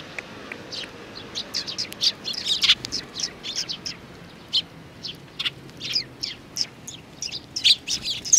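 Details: Sparrows including a small young bird, 27 June 2019: a dense, continuous chatter of high, short chirps from several birds, overlapping and repeated many times a second.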